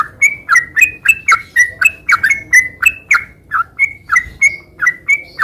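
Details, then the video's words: Sooty-headed bulbul singing non-stop in the rapid 'gacor sambung ngeropel' style: a steady stream of clear whistled notes, alternating level and downward-slurred, roughly four per second, with a brief lull near the middle. "Suara kicau burung trucukan gacor garuda sambung ngeropel"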